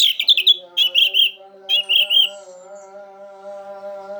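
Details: Orange-headed thrush 'teler' song for prompting silent orange-headed thrushes: quick clusters of high, bright chirping notes repeated in three groups, then a fading thin whistle, over a steady low hum.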